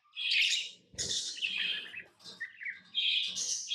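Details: Pet lovebirds, tame and hand-fed, giving loud shrill chirps and squawks in short bursts, with brief twittering notes between outbursts and soft low bumps in the background.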